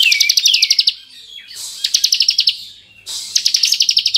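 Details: Ngebren-style song of a bar-winged prinia, the kristal type, meant to stir emotion in unschooled prinias: three bursts of rapid, evenly repeated high chips forming machine-like trills, with a faint downslurred whistle between them.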